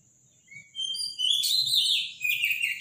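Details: Morning Robin song, loud and powerful: after a thin whistled start, a rich jumble of high, sliding, warbled notes swells into one dense phrase, over a steady high tone in the background.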